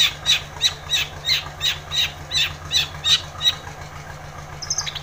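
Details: Long-tailed shrike, recorded to provoke lazy shrikes into singing, giving a steady series of harsh, scratchy notes about three per second, followed by a few thin high chirps, with a low background hum.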